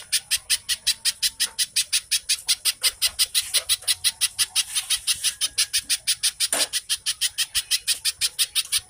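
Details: Little spiderhunter pouring out a steady stream of harsh, high-pitched notes, about five per second, in a fast close-set style said to sound like tenke buto, with a faint low call briefly behind.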